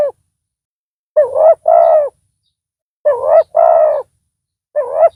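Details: Spotted dove used as a decoy in pikat trapping, with a big voice; repeated paired coos about two seconds apart, a short bent opening note then a longer level mellow coo, otherwise quiet.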